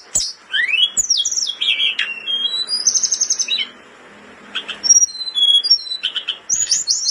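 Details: Blood-breasted flowerpecker in breeding condition, a caged bird whose song serves for tutoring: sweeping rising and falling whistles, a buzzy trill, a brief silence, then thin high whistles and quick chips.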